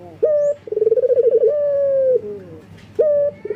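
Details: Calling to females, a breeding-condition male local collared dove gives a short clipped note, a fast pulsing roll and a long sustained coo falling at its close, then starts again.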